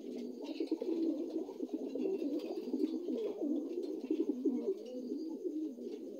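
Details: Dun Lahore pigeons, young new adults, coo in a dense, bubbling stream of low throaty notes that overlap continuously, with a few light knocks and a brief faint voice in the background.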